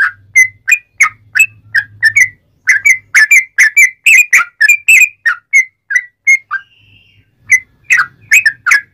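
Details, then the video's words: Sooty-headed bulbul giving a long string of sharp whistled chirps and slurred notes with brief pauses, a recording meant to train and provoke other bulbuls into singing; faint low hum behind. "Kicau Trucuk Buka Paruh Langsung Nguplik Nyambung Ngalas Ropelan Nyaring cucak Rowo'an"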